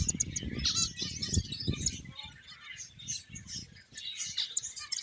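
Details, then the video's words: A group of playing finches keeps up steady high twittering and quick chirps, while low fluttering and rumbling noise is strong in the first half, then fades. "Cute Birds Chirping Sounds | Beautiful Finches Playing"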